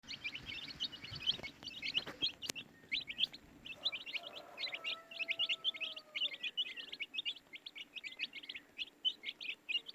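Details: Baby chicks chirping continuously in a dense chorus of short, high, rapid peeps, many overlapping; a faint low drawn-out tone sounds midway and a sharp click near the start.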